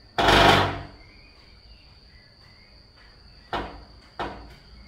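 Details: A young male Blond-crested Woodpecker that was raised in a garden pecks window glass and wood: one loud, ringing knock, then two sharper taps about three seconds later, over a faint steady high hum.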